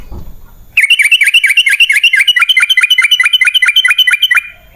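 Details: Sooty-headed bulbul, known locally as trucukan, in a long rapid sequence (ropel panjang) played as a lure for wild birds. A fast, even series of about twenty sharp repeated chirps runs without a break after a brief quiet start.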